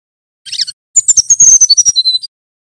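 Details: Male brown-chested jungle flycatcher from Banten, Java, singing in a whistling style for training other birds: a short high chirp, pause, then a quick series of very high thin whistled notes with sharp clicks, ending on a level whistle.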